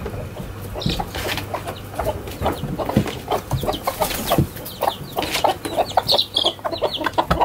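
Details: Several chickens of mixed sizes dashing out of their coop into a garden in the morning, giving a dense stream of short clucks and cackles that overlap, with a low steady hum underneath.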